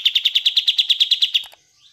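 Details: Kapas tembak, used to coax silent caged birds into singing: a brisk series of about fourteen crisp, high, evenly repeated notes, ending in a short click and a faint trailing chirp.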